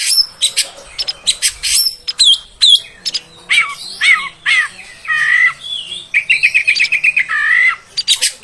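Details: Oriental magpie-robin, a female's sound to provoke males, used when training birds to sing long; sharp chips and swooping whistles, then a fast rattled series of even notes and a final drawn-out whistle.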